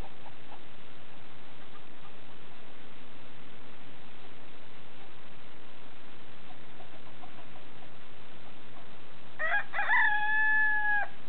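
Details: Black Sumatra rooster crowing, which its owners likened to a military song intro: after a long stretch of quiet background hiss, one loud, drawn-out crow with a steady held tone, closing the recording.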